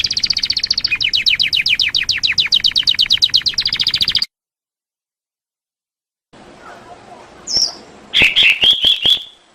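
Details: Canary song for training other birds: about four seconds of quick repeated downward chips, a silent gap, then scattered sharp notes and a short buzzy trilled phrase.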